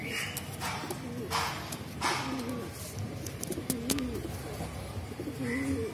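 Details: Mukhi fancy pigeons give soft, wavering coos in short bursts against a background of clatter and scattered sharp clicks.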